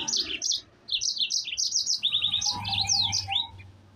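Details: Yellow-fronted canary pouring out a fast high song to provoke other canaries: rapid chirped notes in quick series, a brief pause, then buzzy trills and rising slurred whistles; faint low hum throughout.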